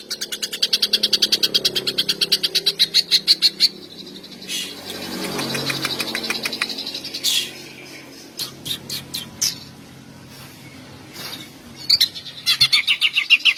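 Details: Greater green leafbird singing long rapid bursts to stir mating urge and aggression in other males: quick high pulses, a pause with soft rustling and scattered clicks, then another burst of bright repeated notes.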